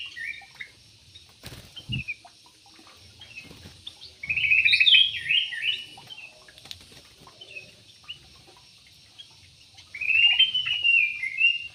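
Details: Two bursts of quick, jumbled bubbly warbling from a yellow-vented bulbul in an aviary, separated by quiet with a few clicks and a soft thump.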